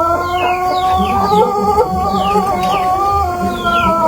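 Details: Long, melodious crow of a Pelung chicken, an ornamental Indonesian breed from Cianjur in West Java. A sustained, slightly wavering harmonic tone carries through the whole stretch, while small birds add quick descending chirps in the background.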